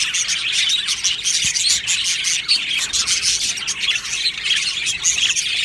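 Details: Budgerigars chirping together in an aviary colony, a steady wash of thin, rapid tweets and chattering warble notes from many birds, unbroken throughout.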